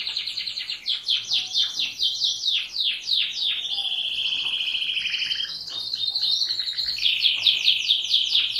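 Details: Canary singing: a varied high-pitched song of quick descending whistled notes in rapid runs, long sustained warbling trills, and fast rolling phrases, with a faint low background hum.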